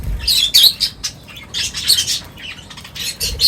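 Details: Birds at feeding time, crowded together for a meal, making bright high chirps and short squawks in uneven bursts, with brief pauses between the clusters.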